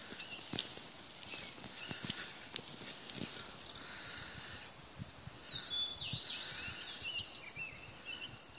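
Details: Bicknell's thrush (Catharus bicknelli) on its breeding territory gives one thin, wiry, spiralling high song phrase lasting about two seconds, after several seconds of rustling, footstep-like noise.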